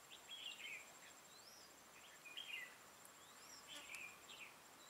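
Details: Red-whiskered bulbul giving a fighting song while being trapped with a decoy bird, 6 October 2018: short warbled phrases with quick rising whistles, repeated about every one and a half seconds, over a steady high insect-like whine.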